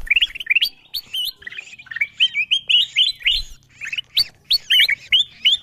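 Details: Wild-bird lure of the kutilang emas bulbul: bright, bubbly chirps and upswept whistles in repeated short phrases, fairly continuous over several seconds.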